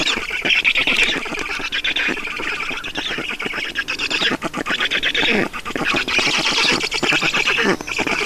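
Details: Nestling Black storks beg as food arrives at their nest in Estonia, 5 June 2019; raspy, churring rapid-fire calls rise and fall in intensity across the recording.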